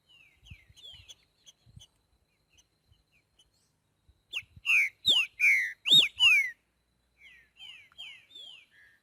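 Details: Green-winged saltator singing in nature in the boiadeiro style: faint falling whistles at first, then a powerful burst of six loud, ringing downslurred notes, ending with softer repeated phrases.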